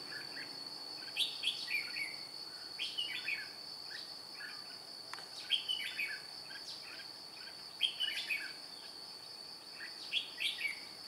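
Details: Red-whiskered bulbul acting as a trap decoy to draw in wild birds, 2 July 2018: bright, jumbled whistled phrases repeated in clusters, set against a continuous high-pitched insect hum.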